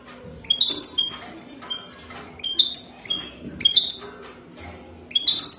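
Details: European goldfinch of the wadani type, song for mating: short bright twittering notes with bouncing harmonics, given in irregular bursts, some rising or slurred, between quiet pauses, with a steady low hum underneath.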